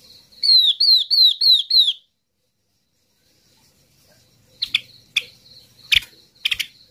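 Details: Yellow-eyed babbler calling the flock as a lure: five loud, piping whistles sliding downward in quick succession, a pause, then a cluster of sharp, percussive chips.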